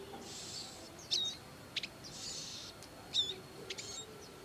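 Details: Bar-winged prinia parents looking after young in the wild: two drawn-out hissing, buzzy bursts alternate with sharp high chips and a short whistled slur.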